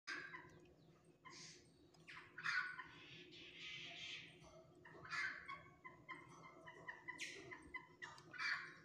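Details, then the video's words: A pale-breasted thrush pair bravely defends their chick against a hawk (cacará), giving harsh, scolding chatters in irregular bursts about once a second over a steady low background hum. "Sabiá Valente Defendendo Contra o Gavião"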